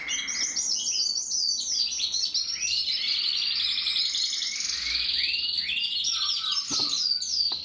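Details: Gloster canary in full song, dense rolling trills and rising-falling tours, ending in a few lower notes and a couple of sharp clicks near the close.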